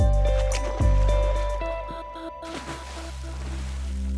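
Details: Music with sustained tonal notes and a deep low rumble, with water or boat noise underneath; no animal voice.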